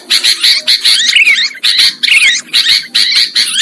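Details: Lure calls of sooty-headed bulbul for trapping: loud harsh bursts about three per second, with a bright descending whistled phrase twice, separated by short gaps.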